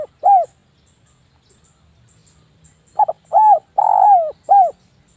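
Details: Javan-type spotted dove call, a dense sharp coo used as a lure for other doves: one arched coo, a pause of over two seconds, then a quick run of four mellow cooing notes, the third drawn out, over a quiet background.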